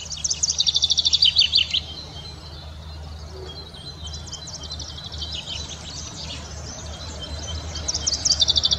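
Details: Common Chaffinch song, a melodious cascading spring phrase: a quick series of bright repeated notes slipping downward in the first two seconds, soft high twittering in between, and a new run of rapid notes starting at the end.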